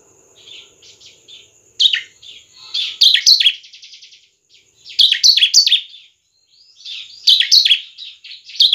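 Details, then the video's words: Bar-winged prinia in the semi-crystal singing style, used to lure other prinias into song: bursts of fast, sharp, descending chirps in quick series, separated by short gaps, with a thin high whistle and softer twitters between. "Ciblek semi Cristal gacor cepat memancing ciblek gacor."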